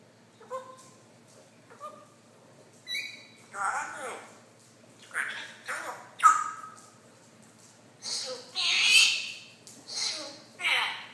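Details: A Congo African grey parrot, one and a half years old, talking: a loose series of squawks, short whistles and speech-like bursts, some with clear tonal notes, spaced irregularly over about eleven seconds.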